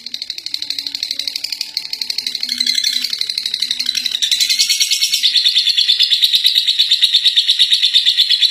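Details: Lovebird that won first place, giving ngekek: a rapid, rattling run of high, harsh chirps that grows louder and denser after the fourth second, with a faint low hum underneath.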